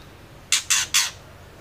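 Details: Three loud, raspy chacks in rapid sequence from a female white-rumped shama, the murai batu betina whose sounds are used to provoke male shamas to sing; low hum underneath.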